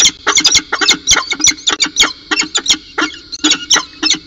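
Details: Peregrine falcon at CSU Orange, recorded at 8:25 am on 4 December 2018 while holding a cicada as prey. Rapid, sharp, clipped notes repeat several times a second in an uneven chattering run, with a steady high buzzing hum underneath.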